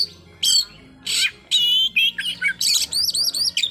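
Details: White-rumped shama song aimed at a rival: spaced harsh, noisy bursts followed by quicker whistled phrases and wavy, repeated high notes.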